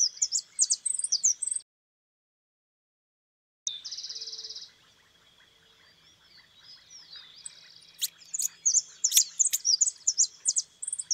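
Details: White goldfinch song said to include 'golpeo' and 'pitos' phrases: bursts of quick high chirps, a short gap, a buzzy rattling trill, then rising clusters of sharp twitters with a few clicks.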